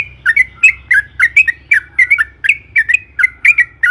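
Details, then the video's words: Trucukan, the sooty-headed bulbul, in excited long rolling song meant to lure others into singing: a steady series of slurred two-part bubbly notes, roughly three each second, with a faint low hum behind. "suara burung trucukan gacor AMPUH EMOSI ROPEL PANJANG"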